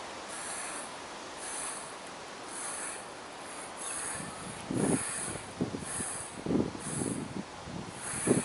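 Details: Mute swans on the Carolasee, 30 November 2015, about 11:08; after a stretch of steady hiss, short low snorting grunts begin near the fifth second and come irregularly, roughly five of them.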